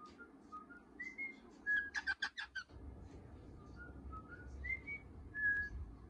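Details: Young cockatiel chick, third day in its new home, calling for the first time in the morning as its cover is lifted: soft mid-pitched whistled notes around a rapid burst of harsh, stacked chirps, cheerful mood, quiet indoor room.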